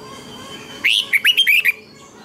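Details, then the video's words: Training song of a red-whiskered bulbul, played to teach captive birds: one rising opening whistle then four or five rapid, rolling slurred notes in a tight phrase, with faint steady background hum. "Luyện chào mào hót sáng hay nhất, Ép chào mào hót âm kép xoắn hay tuyệt, luyện chào mào hót căng lửa"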